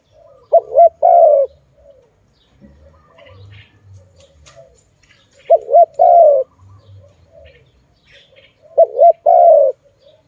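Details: Dove named as a Malay dove, cooing low and mellow: a quick wavering double note then a longer, slightly falling coo, the phrase given three times about every four seconds with faint low rumbling between.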